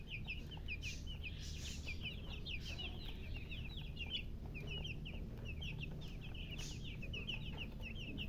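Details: Domestic chicken chicks cheeping: a dense, continuous stream of short, high, downward-slurred peeps from several birds overlapping throughout, over a steady low rumbling hum.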